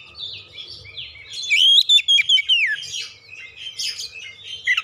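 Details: Oriental magpie-robin song used as a lure: soft scratchy notes, then a clear loud whistled phrase falling in pitch, followed by quieter chattering.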